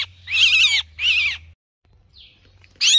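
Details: Myna giving a distress call to summon its flock for help: two harsh, raspy, broadband screeches in quick succession, a pause with a faint short note, then a third screech starting at the end, over a low steady hum.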